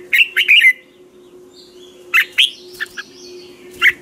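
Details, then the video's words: Caged red-whiskered bulbul singing a training song in the morning, used as a lure to stimulate other birds: short bursts of three or four bright, warbled chirps, a pause, then more scattered notes over a steady low hum. "Chào mào hót ché luyện giọng quá hay 2020, luyện chào mào hót sáng"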